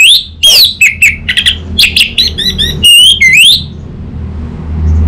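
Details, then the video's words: Orange-headed thrush tutor song used to coax a bird into answering with full song: a continuous run of varied high notes, sliding whistles, chatters and rising slurs for about three and a half seconds. "Pancingan dan Masteran Burung ANIS MERAH"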